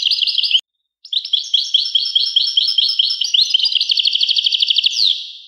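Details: ['Twittering European goldfinch song, broken by a brief pause, then a long stream of quick liquid chirps that speed into a rapid trill before ending on a sliding note. No background noise.']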